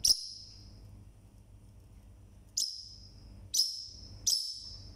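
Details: Single pet Forpus parrotlet calling very loudly: four sharp, high, piercing chirps, one alone at first and three in quicker succession near the end, over a faint low hum.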